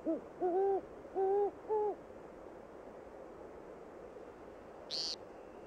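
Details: Great horned owl, a predator of woodcock, during early spring courtship season at Moosehorn Wildlife Refuge, Maine, gives four deep, soft hoots in quick succession, then one brief high chirp over a faint steady hiss.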